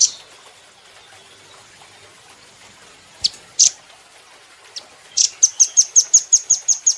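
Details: Velvet-fronted nuthatch on cage-bird training material. Isolated sharp high chips are spaced out at first, then break into a fast, steady run of thin, piercing notes, about six per second, continuing to the end.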